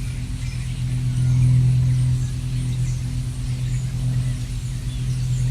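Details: A steady, low car engine hum drones throughout and swells slightly, with no bird or other animal calls.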